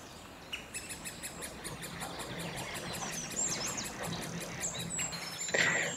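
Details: Great spotted woodpecker nestlings in a nest hole found on a woodland walk give a rapid, continuous chatter of high, ticking begging calls, about five to six a second, with some other bird chirps behind.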